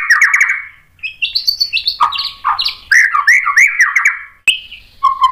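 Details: White-rumped shama song meant to prompt other shamas into singing: loud, varied phrases of rich whistles, rapid chattering notes and high sharp ticks, broken by short pauses, ending in a low whistled note.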